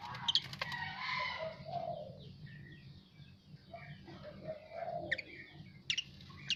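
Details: Asian pied starling singing after its bath: a few sharp clicks, then soft slurred whistles and warbling notes, with sporadic high squeaks near the end.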